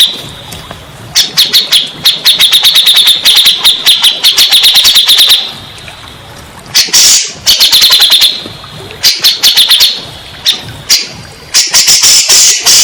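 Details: Grey-cheeked bulbul song played as a lure to get stressed or silent caged birds singing: bursts of rapid, dense chattering notes around a steady high band, broken by short pauses, with some background noise.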